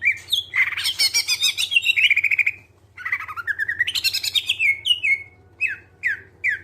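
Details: Clear greater green leafbird song played to prompt other birds into singing: fast rattling buzzy trills sliding upward into whistles, a brief gap, another rising rattle, then separate downslurred whistled notes; faint low hum underneath.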